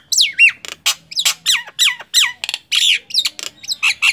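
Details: Nias hill myna in loud full song: harsh squawking notes with downslurred whistled tails, interspersed with dry clicks, in quick succession.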